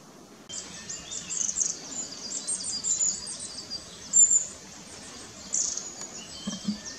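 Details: Long-tailed tits in a tree on 4 May 2016, parents feeding fledglings as the family moves about, filmed with a Nikon Coolpix P900; thin, very high-pitched tsee notes and short trills pour out in overlapping bursts, with faint background noise.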